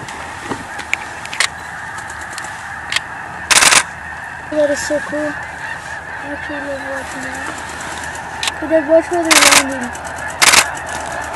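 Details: Migrating snow geese east of Edmonton, spooked from a pond and landing again: a massed background of calls, with a few clear, descending nasal honks standing out, plus short noisy bursts.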